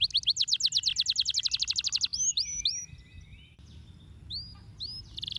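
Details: Fast even trill of high chirps from a canary for two seconds, followed by sparse rising whistles and softer quiet notes, ending with a short buzzy burst; masteran song.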